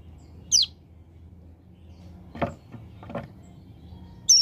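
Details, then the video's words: Hill prinia from a mountain area, recorded as a tutor track for keepers. Two high, steeply falling whistled notes frame a pair of low knocking sounds. "Ciblek Gunung Paud Gacor Ngebren Ak47"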